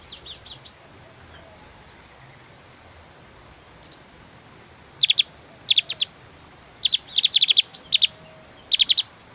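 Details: Quiet opening, then a Javan grey-throated white-eye bursts into lively 'tembakan' song: crisp, high chip clusters of three to five notes repeated in quick succession.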